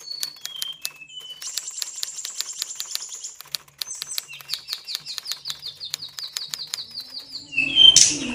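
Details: Kacer, the Oriental magpie-robin, in high breeding condition at a bird farm. Soft clicks and short whistles build into a long, fast series of repeated high notes, ending in a loud harsh burst.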